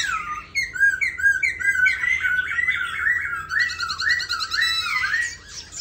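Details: Caged, fully tame Black laughingthrush singing a continuous run of rich, rolling whistled notes, wavering and slurred, with a chattering buzzy stretch of higher notes midway.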